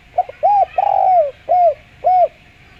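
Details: Spotted dove calling in a clear voice used as a lure, a run of five soft, hollow coos, the middle one drawn out and falling, the rest short and arched, in quiet surroundings.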